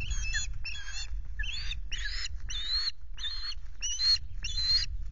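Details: Osprey at a Loch Garten nest filmed by a nest camera, 26 May, on a day ending with a half fish: a run of shrill, harsh whistled calls, about eight in five seconds, each a short burst with strong overtones, over low wind rumble.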